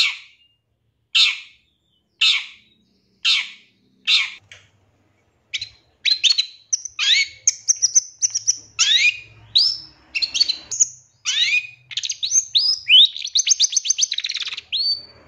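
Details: Long-tailed shrike song meant as a master for caged birds: five harsh, evenly spaced downward notes about a second apart, then a fast, varied stream of whistled sweeps and rising trills.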